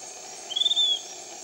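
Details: Piratic flycatcher from Iquitos, Peru: a brief stuttered start leading into one drawn-out high, level whistle lasting under half a second, set against continuous background insect buzz.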